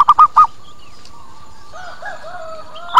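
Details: Local zebra dove lure call meant to make wild doves come quickly and answer: three quick, soft, low cooing notes at the start, followed by a steady background hum and faint whistles.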